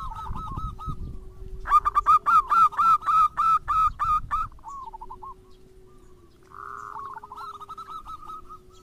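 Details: Lure song of local or crossbred zebra doves, meant to trigger other doves to sing. Rumbling background noise, then a loud series of rapid nasal notes about four a second, fading into quieter, quicker phrases with a steady hum underneath.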